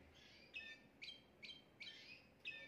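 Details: Timbrado canary, the keeper's best singer, recorded at home, flawless song meant for tutoring young canaries: five faint, bright chirping notes spaced about half a second apart over a steady background hiss.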